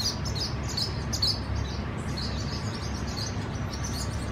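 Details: Swallows at their nesting colony: a flurry of high twittering chirps early on, then softer scattered chirps, with a steady low hum throughout.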